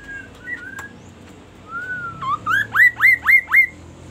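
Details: Magpie-robin singing a 'kaso kaso' phrase: a few thin level whistles, then a fast run of five loud, rising, upswept whistled notes, about four per second, over a quiet background hum.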